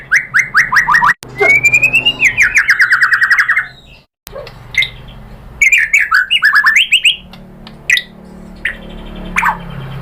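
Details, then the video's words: A white-rumped shama (murai batu) sings a provoking lure song: clipped notes, then a long buzzy rattling phrase, a pause, and a jumble of twisting whistles and chattering notes, with abrupt cuts between phrases. "OCEHAN MURAI BATU bikin NYAUT jadi EMOSI NYAUT GACOR BONGKAR MATERI ¦ PANCINGAN MURAI ¦ SHAMA BIRD"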